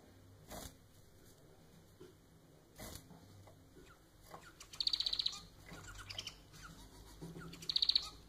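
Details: Pet manon, the domestic society finch, gives two loud buzzy rattling song phrases about three seconds apart, preceded by a few soft knocks and near-silence.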